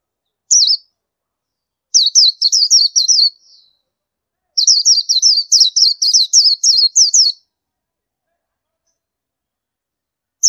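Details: Oriental white-eye calling in bursts of rapid, high-pitched, slurred descending chirps, a single note then runs of about six and eleven notes with short pauses between, against a quiet background.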